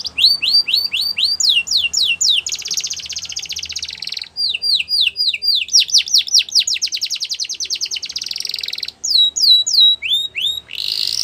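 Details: Canary song used to stimulate other canaries to sing: alternating phrases of rapid swept chirps and sustained buzzy rolls, several tours repeated at about four notes per second, loud and continuous for over ten seconds.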